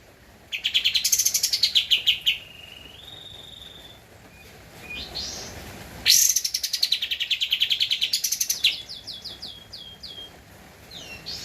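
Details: Javan white-eye, an active singer, in an original recording used as a master track for training cage birds: two extended bursts of rapid high chirping, each opening with a shrill flourish, linked by thin drawn-out whistles.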